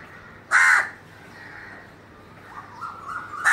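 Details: Crow giving a loud, harsh caw, followed by quieter, drawn-out calls and a second sharp caw at the end, against a quiet outdoor background.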